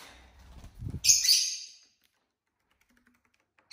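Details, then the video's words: Household lovebirds, one of a flock of six pets: soft low rustling, then a single harsh, shrill screechy call lasting under a second, then quiet. "love birds sounds"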